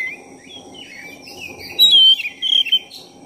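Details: Black-breasted oriental magpie-robin in full, lively song, played to provoke and excite another magpie-robin: a run of varied whistled phrases sliding up and down, ending in loud, clear, bright whistles with short pauses, over a faint steady background hiss.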